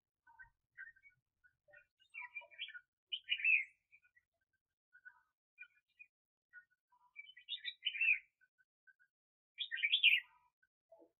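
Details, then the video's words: Red-whiskered bulbul used as a decoy for catching birds, 2021: quiet scattered chirps building into three louder, bubbling warbled phrases spaced a few seconds apart. "Chào Mào Mồi"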